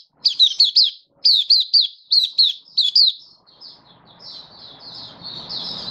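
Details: Happy open singing from a Malaysian white-eye (mata puteh) in Singapore, stable warm sunny weather, 20 March 2023; four groups of two or three high, slurred whistles, then steady softer twittering.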